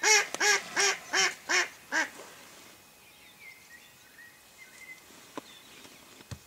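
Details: Decoy mallard hen calling ducks in for hunters: a fast descending run of six strident quacks in about two seconds, then quiet with faint whistles and a few clicks.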